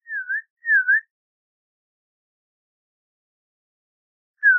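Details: Audubon's oriole with two soft, dipping whistles in a row, a long silence, then one louder downslurred whistle; nothing else audible.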